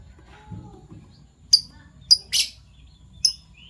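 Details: Fischer's lovebirds, PB violet and euwing gold opaline birds, kept birds in the morning: a few sharp high chirps spaced about half a second apart, with one harsher buzzy note, over a quiet low hum.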